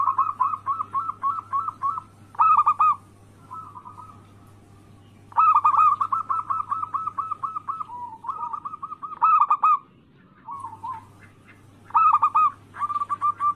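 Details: Local zebra doves in anggungan cooing song, played to make rivals answer: evenly spaced soft coos open the stretch, followed by loud rolling bursts separated by quieter trills and short pauses, with a steady low hum beneath.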